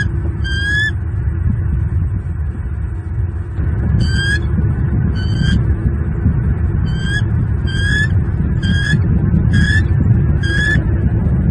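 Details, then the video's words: Southwest Florida male bald eagle defending the nest and two chicks from an intruding eagle on a February morning; bursts of shrill chattering piping notes, repeated roughly every second, amid heavy low rumbling wind. "M15 chases away intruder, protects E21 and E22."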